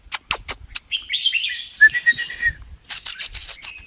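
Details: Red-whiskered bulbul singing in double-phrase and 'rik' style, a sharp run of clicks, then a warbling whistled phrase sliding downward, followed by more rapid clicks; a man talks quietly underneath.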